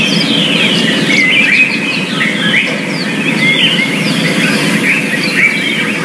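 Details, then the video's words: A yellow-fronted canary in the wild, in natural habitat, sings quick, high twittering chirps and short slurred whistles running on without pause, over a steady low rumble of background noise. "Burung Mozambik di alam liar"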